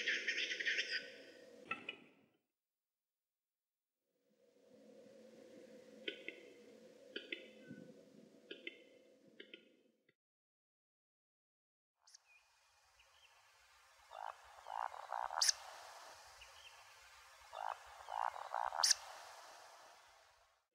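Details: Western capercaillie at a lek, singly calling from trees after a brown bear passed within 6–8 m and the flock flushed, gives sparse dry clicking notes and a scratchy, rushing whetting phrase.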